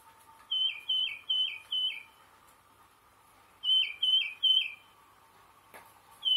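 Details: A tufted titmouse (Baeolophus bicolor) whistles its clear, downslurred peter-peter-peter song: four quick phrases, a short pause, then three more, over a faint steady hum.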